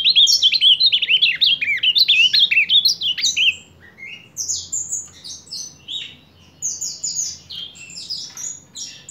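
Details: Ultramarine grosbeak singing in July 2023: a loud, rich warbled phrase of quick up-and-down whistled notes for about three and a half seconds, followed by softer, higher scattered notes over a low steady hum.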